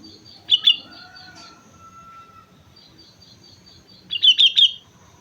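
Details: Sooty-headed bulbul on Mount Slamet giving a short chirp, then a quick bubbling burst of bright notes near the end; a long thin steady whistle and faint distant chirps from other birds between.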